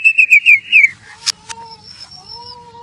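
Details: Gacor murai batu (white-rumped shama) lure recording: four quick slurred whistles followed by a sharp burst and long steady pure whistled tones.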